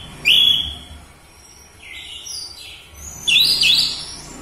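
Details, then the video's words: Orange-headed thrush singing a loud lure song meant to provoke captive birds into singing: a bright whistled note falling slightly, a pause, a softer short phrase, then a rapid jumbled burst of high twittering notes. "Pancingan Burung Anis Merah Cepat Teler Suara Kenceng"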